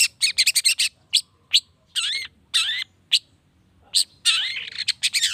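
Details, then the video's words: Long-tailed shrike singing to provoke replies from other shrikes: rapid stuttering chips, then drawn-out downslurred whistles and harsh rasping passages, with varied rhythm throughout. "PANCINGAN CENDET❗NAIKAN EMOSI CENDET MANAPUN AGAR CEPAT NYAUT LANGSUNG IKUT BUNYI"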